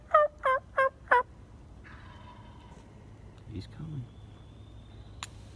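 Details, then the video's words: Wild tom turkey on state park public land gobbles hard in four loud, rattling bursts in quick succession, answering a mushroom hunter and coming closer, then falls silent; faint rustling and low murmur follow. "Hard Gobbling Public Land Tom Turkey"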